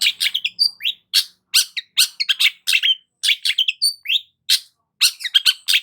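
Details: Long-tailed shrike in full, lively song, used as a lure for stressed shrikes: rapid harsh chattering phrases packed with scratchy notes, short clear whistles and falling slurs, about two or three bursts per second with brief gaps.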